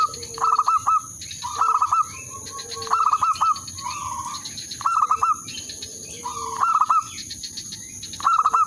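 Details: Zebra dove lure song meant to call a rival and bring on breeding excitement: clipped stuttering coo phrases of four or five notes repeat about every 1.2 seconds, over a low hum and steady high electronic whine.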